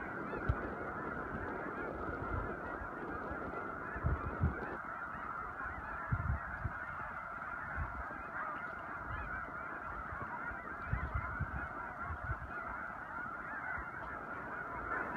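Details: Huge flock of snow geese during spring migration near Choteau, Montana, March 2015: a dense, unbroken roar of overlapping honks and yelps, with low thumps and rumble from wind or handling.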